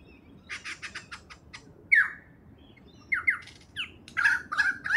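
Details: Superb lyrebird (Menura novaehollandiae) song: a rapid run of dry clicks, then loud downward-sweeping whistles and harsh, rich mimicked phrases.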